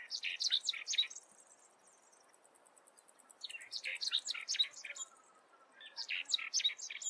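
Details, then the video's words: A Lark-like Bunting sings its canary-like song, three quick bursts of bright, twittering, jumbled notes, each about a second long, with a faint high insect buzz between them. "Lark-like Bunting singing"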